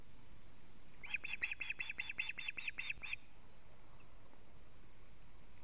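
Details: Osprey at a nest in Latvia, filmed by a live camera on 19 July 2017 at 19:43, alarm calling as the male brings a living fish: a rapid series of about eleven sharp whistled notes, evenly spaced, then quiet.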